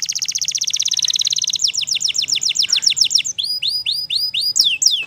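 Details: Wild-singing canary gives a fast rattling trill, then a series of ringing down-slurred whistles repeated about five a second, switching to upswept looping notes, high and clear over a low background rumble.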